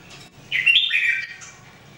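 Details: One brief, bright warbled phrase from Red-whiskered Bulbuls in singing training, 2018; a quick rising-falling whistle runs for about a second, then fades.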